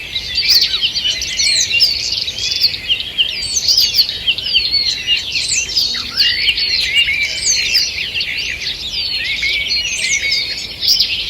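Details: Morning chorus of many wild birds in a forest, recorded 2 June 2023: dense overlapping high chirps, trills and whistled phrases without pause, several singers at once, with a faint steady hiss of forest ambience.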